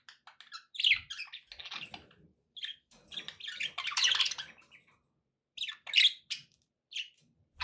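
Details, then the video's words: Budgerigars chirping and warbling in steady chatter: rapid high tweets, buzzy trills and scratchy squawky notes tumbling over each other with only brief pauses. "relaxing budgie sounds"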